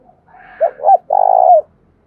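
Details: Single phrase from a tame decoy spotted dove calling intensely: two quick swooping coos followed by a longer, rough, rolling coo that ends with a downward slur.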